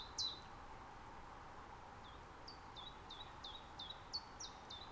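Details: Common chiffchaff in an Estonian nature reserve, recorded mid-spring on a Zoom F6 with Sennheiser MKH 8040 microphones: one sharp high note, a pause, then a steady run of clipped notes, each dropping in pitch, about three per second, over quiet background.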